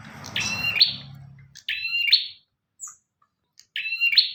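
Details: Three loud, high phrases of bar-winged prinia song, each a flat whistled note ending in a buzzy flourish, spaced by short pauses, with low rumbling noise at the start; recorded as a model for other birds to learn.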